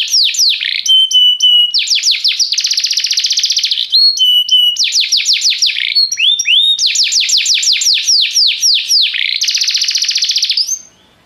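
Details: Canary singing restlessly, full and continuous: alternating fast buzzy rolls, falling swoops, and short held whistles in repeated tours, fading out after about eleven seconds.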